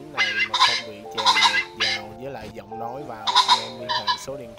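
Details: Male and female Red and Ring-necked Pheasants give flock-calling lure calls: harsh, raspy bursts of clucking calls, several in quick succession, over a steady droning music track added to the recording.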